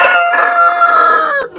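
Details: A black Cochin rooster, kept in an unheated aviary, gives a long, loud crow: a sustained harmonic note that drops away at the end.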